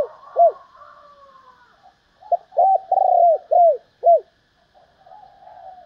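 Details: Spotted dove hen calling to rouse males. An isolated arched coo, then a full phrase: short note, a rolling throaty coo and two descending coos. A faint steady background hum runs underneath.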